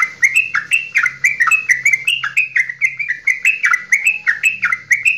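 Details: Kept Javanese straw-headed bulbul giving an extended goklikan song intended to stir other birds to sing: a steady stream of loud, fluty, slurred notes bouncing between higher and lower pitches, roughly four each second.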